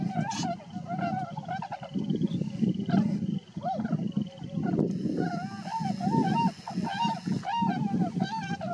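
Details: Tundra swans at Rosedale and Munson near Drumheller, Alberta, Canada, foraging in a flock: a run of high, honking calls with a nasal ring rises repeatedly over a dense, low, continuous murmur of many birds.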